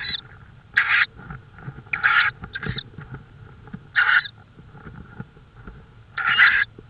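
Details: Tawny owl in Estonia at night, 22:30 on 5 May 2013, giving hoarse, breathy screeches roughly every one to two seconds, each about half a second long, over a soft background hum.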